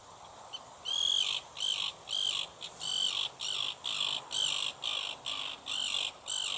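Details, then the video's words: Common tern (Sterna hirundo) giving a rapid series of about a dozen harsh, grating, high-pitched cries, roughly two per second, with a faint background hiss. "STERNE PIERREGARIN qui crie"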